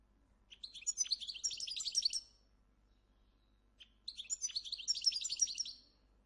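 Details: Moroccan goldfinch at a breeding farm, a caged bird with a loud, high-quality voice whose tunes vary by region. It sings two bright, rapid twittering phrases of about two seconds each, separated by a short silence.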